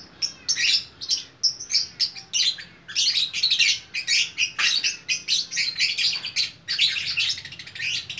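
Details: Single lovebird from Bukittinggi, West Sumatra, singing vigorously: dense, high, buzzy chattering chirps in rapid bursts, broken by short pauses, with no other clear sounds.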